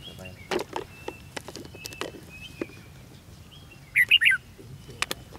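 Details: Red-whiskered bulbul singing in a fighting contest at a decoy trap, 13 February 2016: scattered clicks and taps, then a loud, rapid three-note warbled phrase near the end, followed by more faint tapping.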